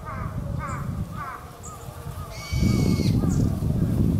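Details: Brown-eared Bulbul calling while bathing with Japanese white-eyes at Gotenyama Kotori no Mori on 2 February 2017, noisy as usual: three rapid descending harsh notes, then one longer shrill harmonic call, over a low rumbling background.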